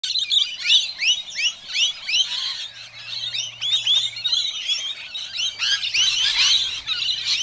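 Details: Rainbow lorikeets in a residential neighbourhood, feisty and aggressive toward one another, let loose a nonstop barrage of harsh, high screeches and chattering squawks, several per second, with other chirps overlapping throughout.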